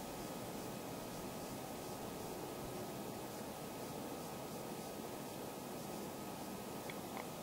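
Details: Steady broadband hiss with a faint constant hum and no animal calls.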